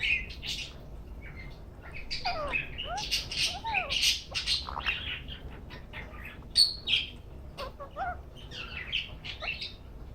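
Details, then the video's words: A green rose-ringed parakeet enjoying a head massage chatters in a steady stream of high chirps, soft squawks and quick rising and falling notes, with a few louder sharp squeaks. "ringneck making cute sounds"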